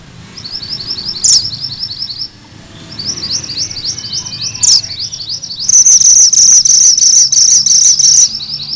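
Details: Sunda bush warbler (mantenan gunung merah) singing its prized rolling 'ngerol' song, used as tutor material for magpie-robins: high, thin, rapidly repeated notes in long chattering runs, interrupted by sharp bright accents, ending in a loud sustained trill.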